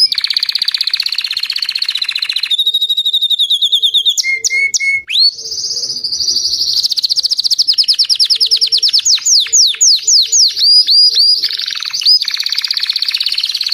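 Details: Song of a white crested Belgian canary, a long unbroken run of fast, rattling trills that shift into higher buzzy rolls, then clear down-slurred whistles and rapid chirps, loud and continuous throughout.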